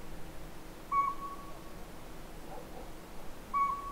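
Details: Northern pygmy owl at the Sea to Sky Gondola giving two pure, steady whistled toots about two and a half seconds apart, each trailing off softly, above a low ambient rumble.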